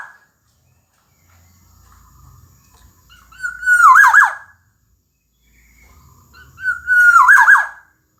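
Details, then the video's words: Two rich whistled phrases from a gacor Black-naped oriole (kepodang emas), about three seconds apart. Each opens on a held fluty note and tumbles into fast rolling loops. Faint low hum between phrases. "Kicau Burung Kepodang Emas Gacor"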